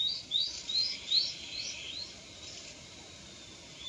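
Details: Fledged juvenile Japanese sparrowhawk, recently left the nest; a quick series of about five thin, high, rising whistled notes, each under half a second apart, fading away, then quiet with faint background hiss.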